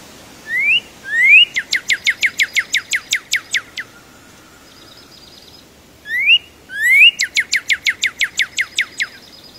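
Northern Cardinal singing two clear whistled phrases: a couple of rising slurred notes, then a quick run of about a dozen sharp downslurred whistles.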